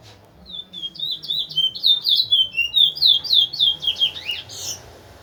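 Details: A Linden large-billed seed finch (towa towa), kept as a teacher bird for other birds, sings a steady chain of bright whistled slurs, roughly four per second, ending in a harsher burst.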